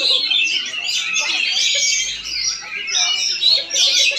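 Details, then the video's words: Oriental magpie-robin (kacer) in Palangkaraya, Central Kalimantan, singing a nonstop medley of sharp whistles, trills and scratchy twitters that shift quickly in pitch, over a quiet murmur of voices. "PENAMPILAN APIK KACER"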